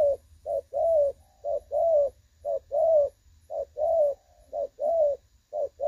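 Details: Spotted dove call in the 'đồng son' style, a clear voice used as a trapping decoy, 16/8/2024: steady rhythmic coos, a short note then a longer rounded one, repeated about once a second.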